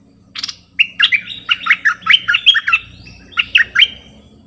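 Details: A decoy bulbul pours out a continuous bubbly song of rising and falling whistled notes, about a dozen quick syllables, briefly pausing before a final few, over a low steady hum.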